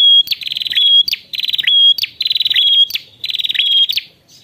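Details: Prinia calling out to a rival repeats loud, high, rapid buzzy chattering bursts with a thin whistled note, four phrases at roughly one per second, with nothing else audible.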